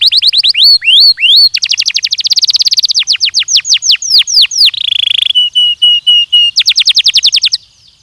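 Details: A Belgian canary in a training recording delivers falling whistles, a dense rapid roll of repeated notes, a short buzzy tour and evenly spaced soft notes, ending in another quick trill.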